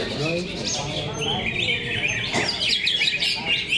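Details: At a leafbird singing contest in Cikeas, human voices open the recording. Bright chattering greater green leafbird song follows, rich in rapid high whistles and twittering notes layered from several birds.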